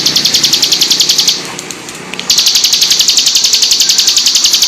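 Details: Ciblek gunung (hill prinia) song used as a training master recording, described as full rapid-fire bursts: sharp, high chips repeated about four per second in an even stream, breaking off briefly mid-clip before resuming.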